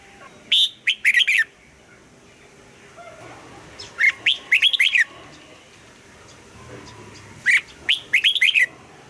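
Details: Caged red-whiskered bulbul being trained to sing at dawn, singing in a double-note style. Short bright bursts of quick rising-and-falling whistled notes come in three phrases about three and a half seconds apart, with quiet pauses between.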